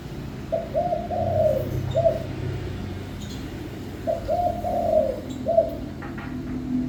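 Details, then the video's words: Spotted dove song with two phrases of mellow, low cooing notes, each a quick pair followed by a longer coo and a short closing note, about three seconds apart, with constant low rumbling noise behind. "chim cu gáy hót cực hay"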